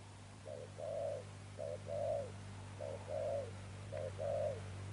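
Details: Spotted dove, a wild-caught bird, giving 'Thúc Đồng Pha Sấm' coos. Four short-then-long hollow coo pairs sound over a strong steady low hum.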